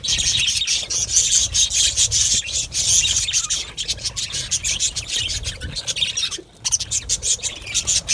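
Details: Colony of budgerigars in an aviary, rapid raspy chirps and twittering repeated in quick overlapping bursts, with one brief silence near the end before the chatter returns.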